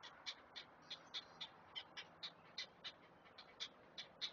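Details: Great Blue Heron chicks in a nest, as an adult arrives to feed them, give rapid, raspy ticking calls, about three per second and somewhat irregular, over a soft steady background hiss.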